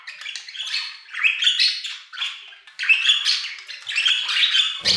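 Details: Aviary budgerigars singing in two long chattering phrases of scratchy warbles and thin whistled notes, each swelling and fading, ending with a low thump.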